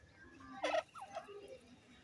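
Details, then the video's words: Grey partridge in egg season gives one harsh, grating burst, then a short clear note sliding downward and a lower trailing note, all within two seconds. "irani teetar ki awaaz grey partridge"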